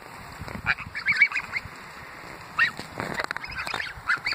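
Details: Greylag geese crowding around beside the Thames Path at Iffley Lock, Oxford, England, giving short nasal honks in scattered bursts near 1, 2.6 and 4 seconds, with some overlapping calls and background noise between them.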